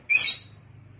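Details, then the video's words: A single loud, harsh lovebird screech, high and buzzy, that fades over half a second, from a lovebird in vocal training, with quiet background hum. "LOVEBIRD OLAH SUARA VOKAL"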